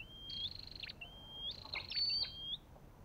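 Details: Olive-backed tailorbird giving two phrases, each a rising whistled slur followed by a rapid buzzy trill with crisp clicks.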